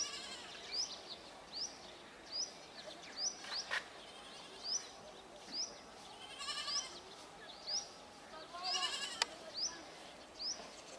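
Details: Brahminy starlings, or black-headed mynas, calling as a flock: a steady run of sharp rising high whistles roughly every 0.8 seconds over a bed of softer chatter, with a few clicks.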